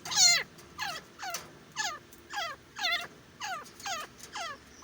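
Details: Grey francolin, locally called desi teetar, giving a rapid run of sharp, ringing calls. Each note drops steeply in pitch, and the notes come about twice per second with a steady rhythm.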